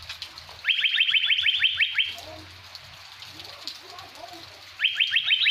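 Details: Blue-winged leafbird from Surat copying the song of a greater green leafbird, delivering two fast bursts of bright, upward-sweeping whistles separated by several seconds of quiet.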